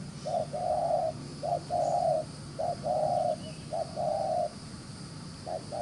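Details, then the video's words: Rapid cooing by a wild-caught spotted dove: four strong phrases of a brief note and a broad sustained coo, then silence before a final short note, over a steady low hum. "Bổi Đồng Chơi khá lẹ miệng, Gù xiết ( quy cườm đẹp)"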